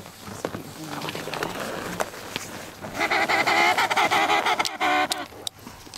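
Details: Emperor penguin on the sea ice between Cape Evans and Cape Royds, giving a loud, nasal, trumpeting call with a rich harmonic buzz lasting about two seconds, after shuffling steps and wind noise.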